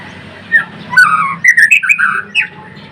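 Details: Blorok white-rumped shama singing vigorously, here a brief run of harsh, buzzy squawking notes mixed with quick high ticks, over a low hum.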